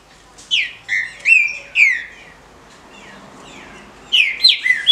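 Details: Female green-winged saltator, a legally kept captive bird, giving calls used to excite males: loud, slurred chirps falling from high to mid pitch, four in a quick burst, a pause, then another fast cluster of three to four.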